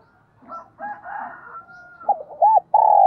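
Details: Spotted dove used as a decoy, cooing to rouse other doves; muffled low notes and a thin whistle come first, then clear rolling coos and a long sustained coo at the end.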